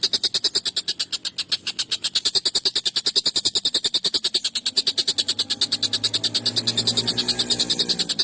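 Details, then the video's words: Collared kingfisher in an agitated state, recorded for training songbirds: a long, fast, harsh series of sharp notes. A low rumbling background sound swells toward the end. "SUARA TENGKEK BUTO GACOR EMOSI UNTUK MASTERAN PANJANG TAJAM KASAR"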